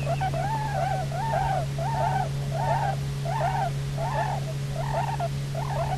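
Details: Bermuda petrel (Cahow) pair back at their nesting island, Nonsuch Island, on 29 October 2018, picked up by a live nest camera; a run of arched, wavering moaning calls roughly every 0.7 seconds over a steady low electrical hum.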